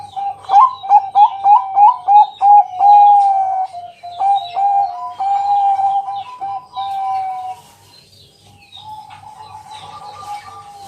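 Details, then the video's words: Local zebra dove (perkutut) song used as a night-time lure to prompt other doves to sing: quick, bubbly rising coos, then longer soft purring trills, low and mellow, with faint higher chirps from other birds behind. "Pancingan malam hari Perkutut Bangkok..Suara Penghilang Stress Burung Perkutut"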